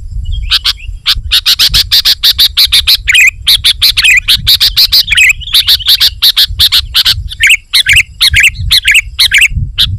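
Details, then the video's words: Sooty-headed bulbul song used to lure wild bulbuls and challenge rivals: fast, dense bursts of sharp chirps with short bubbly whistled phrases in the middle, steady and loud throughout. "Suara Burung KUTILANG GACOR Rapat Menekan Lawan Ampuh Untuk Memikat BURUNG KUTILANG Liar"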